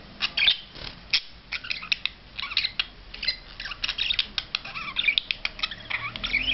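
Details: Budgerigar during a courtship display, giving a dense run of warbling, scratchy chatter notes with rapid squeaks and clicks that run on without pause in a small indoor space.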